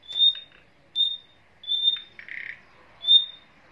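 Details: Caged nightingales, a female and a male with their young: clear high thin whistles repeated about every second, with a short raspy buzzy note between them, in a quiet setting.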